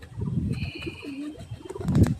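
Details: A domestic white pigeon, one of a pair whose egg has just hatched a chick, gives one brief, soft, low coo amid muffled rustling and shuffling, with a faint steady high tone behind.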